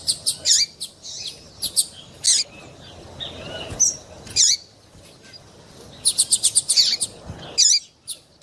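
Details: Calls of a female double-collared seedeater, played to warm up males for singing contests; high thin chirps fall singly and in quick bursts of five or six notes, with short silent gaps between.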